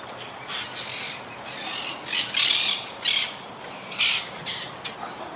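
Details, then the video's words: Quaker parakeets of a wild colony hit by hurricane Irma in 2017 give loud, rasping squawks, about six harsh bursts with short pauses between them, against a quiet outdoor background. "Yacht Club Colony Retrospective🌴 Clips and Sounds 🦜"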